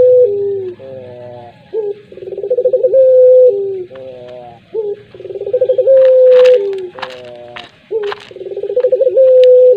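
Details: Repeated pelung coo of a collared dove: three rolling, pulsed phrases, each holding a long level note before a nasal harmonic segment. Sharp clicking and rustling noises occur midway through.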